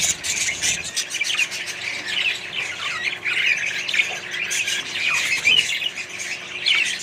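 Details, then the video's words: A colony of budgerigars kept with other parrots and birds: dense, continuous high chirping and warbling, with squawks and short whistled notes layered over one another throughout. "australian budgies parrots & more birds colony"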